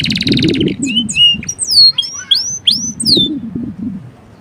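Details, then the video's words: Male canary singing as a training master: an opening buzzy burst, then separate high whistled notes, several sliding downward, with quieter gaps and a low murmuring background. "Suara kenari jantan gacor"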